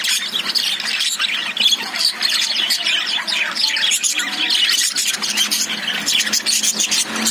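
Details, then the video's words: Caged lovebirds produce a relentless chorus of harsh squawks and high chirps, many birds overlapping, with a faint low hum in the background toward the end. "Love birds sound"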